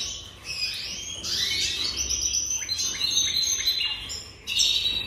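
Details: Singing Jaspe canary: sweeping upward whistles flow into rolling trills and sharp repeated chips, ending with a sudden loud bright burst.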